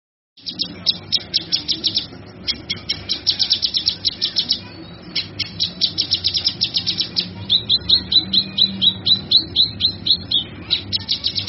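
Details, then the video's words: Cucak kinoi singing, offered as a tutor recording for training other songbirds: a fast, high chattering run of sharp chirps at roughly 80 per minute, with a pause near 7 seconds and then crisp repeated notes. "Suara Burung cucak kinoi"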